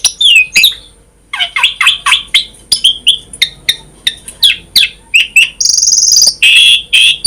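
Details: Singing Asian pied starling with a variety-filled song: after a brief pause, an evenly paced run of short whistled and chirped notes, then a sustained buzzy trill and scratchy phrases at the end.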